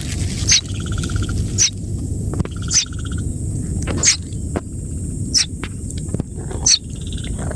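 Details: Young Common Myna found fallen from a small tree in the afternoon, held in hand; scratchy, harsh calls repeat about once a second, with faint steady tonal notes and a low hum between them.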